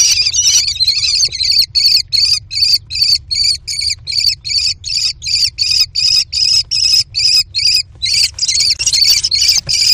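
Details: American kestrel chicks in a nest box, one male claiming the prey while siblings try to steal it; long run of strident, quavering high screams repeated about two and a half times per second, very regular.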